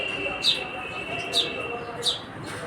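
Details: House sparrow, called gauriya locally, giving three short bright chirps about 0.8 seconds apart over a steady background hiss.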